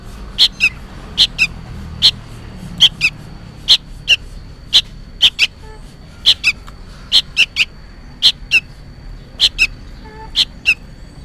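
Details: Young sooty-headed bulbul calling insistently as if for its parent: evenly spaced pairs of short scratchy chirps, roughly one pair per second, throughout.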